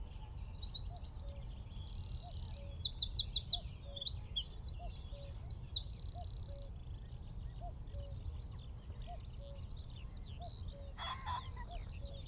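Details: Eurasian wren singing from a tree at Wicken Fen, about 15 m away, recorded by phone through telescope with shotgun mic: loud high rapid twittering phrases with a sustained buzzy trill and repeated sweeping notes, soft low hum underneath.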